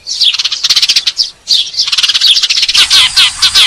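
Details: Fighting call of Eurasian tree sparrows, used as a lure for catching birds: rapid, scratchy chirps in quick runs, a brief silence near the middle, then more hurried twittering.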